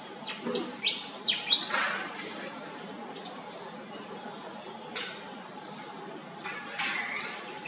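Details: Pied fantail opening with four or five quick high notes that dip and rise in a rapid run. Scattered single chirps and brief thin whistles follow after a pause, against a low constant hum and light background noise.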